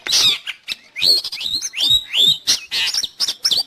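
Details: Long-tailed shrike singing, a recording meant for training cage birds or luring wild birds: quick rising whistled slurs mixed with harsh scratchy chatter, delivered in bursts with short pauses.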